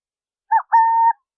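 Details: A Burrowing owl (Athene cunicularia) sings once: a short dipping hoot, then a clear sustained coo of about half a second, in silence.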